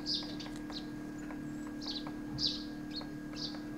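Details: Himalayan pied woodpecker giving sharp, high, short call notes roughly every half second, over a steady low electrical hum.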